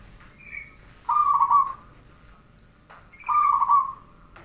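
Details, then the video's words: Zebra dove song on a training recording: two phrases, each opening with a short higher note and followed by a fast, rolling trill of cooing notes, about two seconds apart, with little else heard. "Masteran perkutut 1 jaman"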